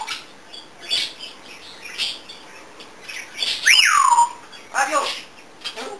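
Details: Indoor pet African grey parrot, known for many sounds, singing and dancing: scattered scratchy clicks, then a clear whistle sliding steeply downward, followed by a fainter falling note.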